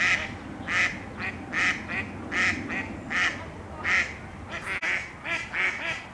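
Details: Female Mallards quack during mating season, arguing while males bob their heads in courtship: loud nasal calls repeated roughly every half to one second, with softer answering quacks between them and a low background rumble.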